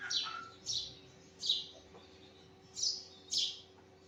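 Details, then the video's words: Sparrow chirping in the morning: five loud, clear cheeps, two pairs close together and one alone, each short and high-pitched, over a soft steady hum. "Sparrow chirping پرندوں کی تسبیح صوت صبح"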